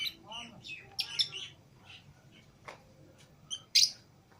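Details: Pet lovebirds, Fischer's and lutino pairs, let out of the cage with other lovebirds, make scattered shrill chirps and a few loud piercing squeaks, separated by quiet gaps; a faint voice may be present.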